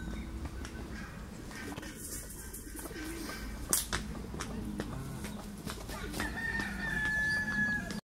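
Bantam chickens cluck and murmur in low, rapid, uneven bursts over a steady, noisy background hum.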